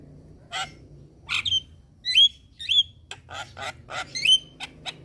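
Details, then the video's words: Starling calls meant to lure birds into responding: scattered loud notes, several upward-flicked whistles and coarse, buzzy chacks separated by short pauses. "Pancingan Semua Jenis Burung Jalak | Jalak Kebo Jalak Putih / Jalak Nias Langsung Respon"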